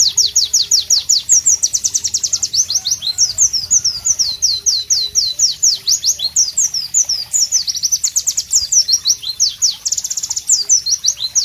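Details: Sustained powerful song of a White-eye (Pleci) in tropical ambience, an unbroken stream of high, sharp, descending whistled notes in fast rhythmic runs and varied twittering phrases.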